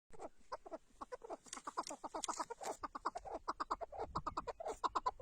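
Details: Tatar chukar partridge calling in a rapid, uneven series of harsh clucking chuk notes, about one and a half per second, with some faint background hiss between notes.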